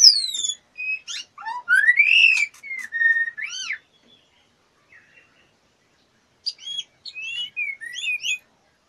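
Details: A female white-rumped shama ready to breed, fluttering to invite mating, sings clear sweeping whistles, some rising and some falling, in a busy phrase, falls silent for a few seconds, then resumes with quick looping whistled notes.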